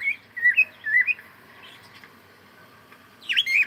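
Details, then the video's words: Cockatiel singing while playing: two bursts of bright warbled chirps, rising and falling whistles with a quiet pause between them, indoors. "Cute Cockatiel singing and sound and playing"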